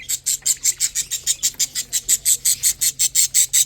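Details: Feeding lovebird chicks, eating and drinking, make a steady run of hoarse, hissing high pulses, roughly three per second, evenly spaced and fairly uniform in loudness throughout.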